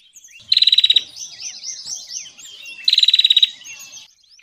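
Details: Bar-winged prinia sound used as a trapping lure: two loud, rapid trills of high, evenly repeated notes about two seconds apart, with softer jumbled twittering between them.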